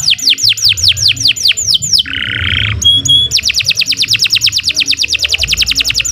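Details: Canary of the Indonesian nusantara type, its long song used as a tutor for training other birds: rapid series of high, steeply downslurred notes, a harsh buzzy passage midway, then a fast, even trill of falling notes.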